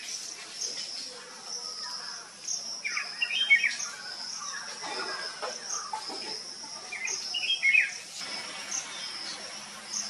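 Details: Common myna family at a nest cavity in an old coconut tree trunk in sunny coastal Odisha, three hungry juveniles being fed by a parent; two short clustered bursts of scratchy chirps about four seconds apart over a steady high insect buzz.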